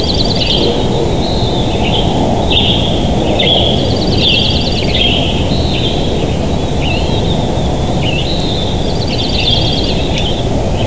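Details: Bald eagle pair at their nest in Big Bear Valley on a live nest cam, morning of 7 July 2023; high, squeaky chattering calls in rapid staccato bursts, several series across the recording, with constant low-pitched noise underneath.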